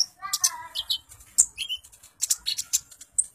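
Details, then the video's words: Brown-throated sunbird, locally called kolibri ninja, singing actively in a varied chattering song: sharp high chips, short squeaky notes and quick twittering phrases, with brief pauses between them. "Suara Burung Kolibri Ninja Gacor Ocehan Si Master Kicau"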